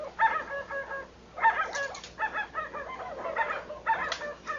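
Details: White-browed guan, a bird of Brazil's Amazon and other regions, giving harsh harmonic honking calls in short bursts roughly every second, with clucking notes and brief broadband rustles like flapping between bursts.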